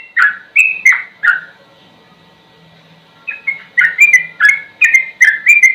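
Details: Yellow-vented bulbul singing 'ropel' style for training songbirds: four quick bubbly whistled notes, a two-second silence, then a fast run of warbling, slightly rising phrases, repeated about twice a second, in a clean recording.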